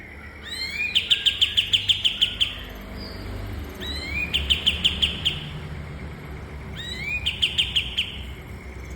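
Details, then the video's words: Kapas tembak (cream-vented bulbul) song for training caged birds, heard as three evenly spaced phrases, each an upward slur then about a dozen quick, ringing chips, over light background noise. "Burung Masteran Kapas Tembak"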